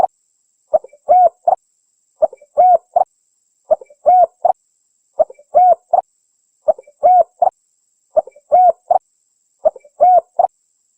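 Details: Spotted dove lure call for calling birds in the wild, a short three-part cooing phrase with a clipped note, a rounded central coo and a brief tail, repeated steadily about every one and a half seconds, seven times.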